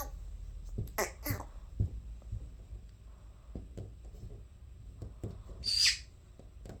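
A conure gives a sharp, harsh chirp near the end, with a couple of brief raspy notes earlier, over soft tapping and handling noises.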